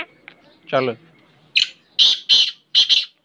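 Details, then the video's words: Hand-tamed pet Black francolin (kala teetar) in Pakistan. Harsh, grating, buzzy notes come in quick bursts, with a pair of rasping notes near the end. A brief human voice is heard earlier. "Beautiful and Amazing Black Francolin voice, Kala teetar, الفرنكولين الأسود, Siyah Fracolin"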